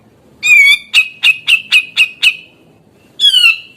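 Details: Grey-cheeked bulbul in full voice, its song said to stress other bulbuls and prompt young birds to sing: a downslurred nasal note, six quick harsh chips, then another descending squawk.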